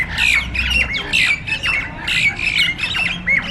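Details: Jalak nias starlings fighting in a group: loud harsh squawks repeated about once a second, each with a thin whistled streak inside, over steady low background noise.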